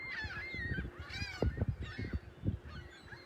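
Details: Gulls give loud, clear, laughing series of arched squawks, one after another, at South Beach in South Haven on Sunday morning, March 21, 2021, looking out at the lighthouse and pier, with soft low thumps beneath.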